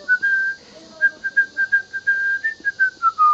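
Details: A male pet cockatiel being taught a whistled tune by its owner whistles clear, pure notes at a steady mid pitch: one long held tone, then a quick run of short notes ending in a falling slide.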